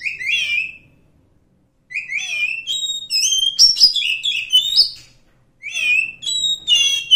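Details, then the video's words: Wild forest Oriental magpie-robin sings several phrases of melodious whistles, including down-slurred notes and held tones, separated by short pauses. "suara asli kacer hutan"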